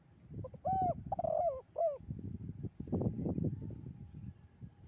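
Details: Spotted dove in the melodious 'kuk 2' song style. A short phrase of hollow coos and a trilled coo opens, then breaks off into loud low rumbling and knocking noise.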